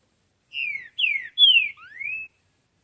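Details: Rufous-bellied thrush song in the wild: a phrase of four pure whistles, three gliding down and a final one sweeping up, each about a third of a second, with a thin steady high hiss behind.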